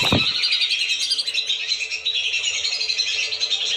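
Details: Lesser whistling ducks used as a lure sound to bring the birds down: a dense flock chorus of overlapping high whistles and chatter, continuous throughout, after a brief low thump at the start.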